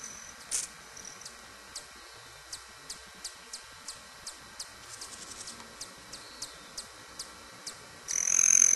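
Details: Broad-tailed hummingbirds at a sugar-water feeder, looking for a fight. A string of soft high ticks repeats about four times a second, then a loud, shrill, cricket-like buzz from a male's tail feathers bursts in at the end.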